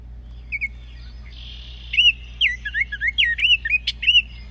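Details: Baltimore Oriole call played back: a run of clear, slurred whistled notes with short rising and falling loops, chattering after about two seconds, preceded by a faint buzzy note and a steady low hum underneath.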